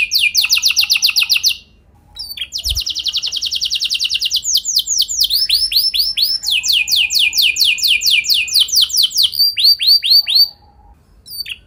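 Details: Canary song used as a training lure to make other canaries sing: long rolled trills of rapid repeated notes, sweeping down-slurred phrases and buzzy rattles, switching tour every few seconds, with brief pauses.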